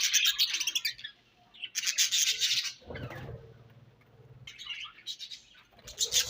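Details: Budgerigars feeding on a favourite food make sharp, rapid tweets in short clusters, with a pause filled by a low knocking rumble before the chirping picks up again.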